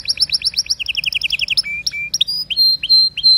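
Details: Canary song: fast repeated rolls of short notes, first high then dropping to a lower rapid trill, followed by spaced rising whistles and sharp high notes with clear pure tones at the end.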